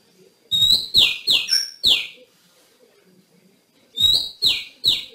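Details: Female white-rumped shama in the wild forest, calling to stimulate males to sing: loud rising whistled notes sweeping upward then dropping, given in a quick burst of four, a pause of nearly two seconds, then three more.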